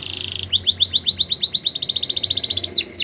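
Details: Song of a Belgian canary: a brief buzzy trill gives way to a long regular run of quick rising chirps, closing with a few sharp descending slurs.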